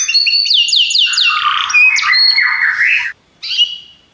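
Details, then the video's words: Belgian canary delivering a run of descending whistled sweeps that slide into lower harsh, buzzy rolling notes, then a short silence and a brief final note. "Os canários belgas cantam espetacularmente"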